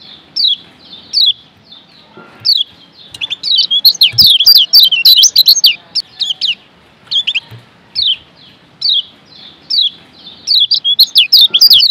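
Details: Masteran song of the kecial kuning Lombok white-eye: isolated high slurred chirps giving way to an energetic, tumbling burst of thin twitters, then more spaced notes and another run.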